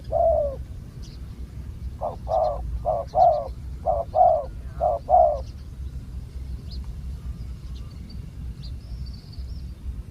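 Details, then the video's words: Wild spotted dove calling during a decoy-luring session: a first coo, a pause, then a quick series of seven hollow, slightly falling coo notes, followed by quiet with faint distant chirps. "ต่อนกเขาใหญ่EP48 นกป่าเสียงคูใหญ่ๆ แต่ไม่รูกี่กุก"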